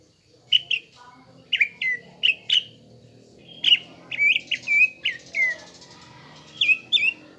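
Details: Greater green leafbird singing a lure phrase intended to provoke caged birds and build a fighter temperament: paired whistled notes dropping sharply, in bursts separated by short pauses, then a quick series of slurred whistles and a closing downward pair.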